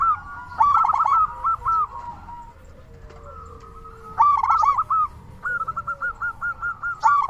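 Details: Strongly singing local zebra dove used as a calling lure: loud rolling coo phrases at the start and middle, then an even series of about eight fast staccato coos before a final burst.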